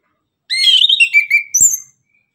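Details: Orange-headed thrush morning song, a provoking song for other birds: a dense jumble of warbled and twittering notes descending into lower whistles, closed by a high sharp note.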